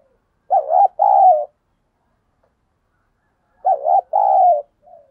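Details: Spotted dove calling as a decoy to stir rivals into fighting: two identical loud coo phrases about 3 seconds apart, each a short note followed by a longer husky one, ending in a faint soft coo.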